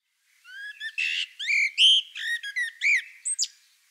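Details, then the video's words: A common blackbird (Turdus merula) sings a run of rich, fluty warbled phrases that end in a thin, high squeaky twitter, with no other sounds heard. "Vogelstimmen: Die Amsel"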